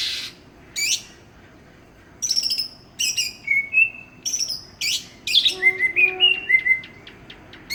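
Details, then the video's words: Greater green leafbird from Banyuwangi, East Java, a village contest winner, starts with isolated sharp upswept notes, then builds into chattering trills and a string of clear, evenly spaced rising whistles near the end. "Burung cucak ijo juara kampung"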